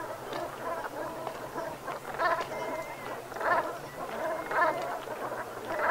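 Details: Flock of Brent geese at sunset on an autumn evening, 7 November 2021, Gulf of Morbihan, Brittany; steady guttural chatter with louder bursts of rolling calls about every second, many birds overlapping.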